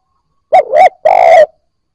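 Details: Newly caught spotted dove beginning to coo, played to spur other fresh-caught birds: a single phrase of a doubled, bouncing hoot followed by a longer, slightly harsh drawn-out coo, in silence.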